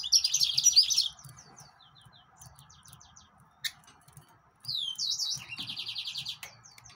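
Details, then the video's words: Song of a yellow-fronted canary, known as green singer: a rapid high trill, scattered thin chirps, then a rising whistle into another fast trill with twittering. "طائر الياسمين كنار الموزمبيقي GreenSinger"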